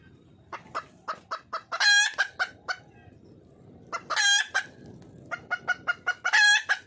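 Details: Wild red junglefowl hen calling to attract a male, giving short clucks that build into three loud, strident cackles with strong harmonics, spaced about two seconds apart.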